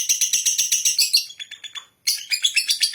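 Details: A lovebird chatters in ngekek fashion, steady shrill pulses several per second, a brief pause, then the strident rattling resumes at full strength.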